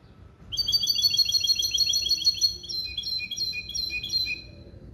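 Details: Goldfinch × canary hybrid, male goldfinch crossed with female canary, singing limpio-style phrases: a quick high twittering trill that shifts midway into slower, spaced metallic notes, with faint low background hum.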